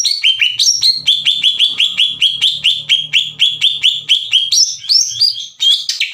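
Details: Greater green leafbird in full song, played as a lure to quickly stir up other leafbirds. A fast run of about twenty clipped, chirping notes that step between mid and high pitches, with a faint low hum beneath.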